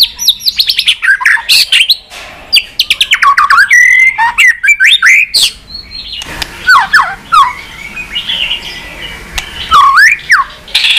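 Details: White-rumped shama singing to stimulate other pet shamas and bring them into form. A long, varied run of loud whistled notes, sharp downslurs and rapid clicking chips follows in quick bursts, with short pauses between phrases.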